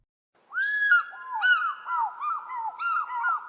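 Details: African fish eagle in southern Africa gives a ringing, yelping call: one long arched note, then a quick run of shorter, falling yelps about three each second. No other sounds.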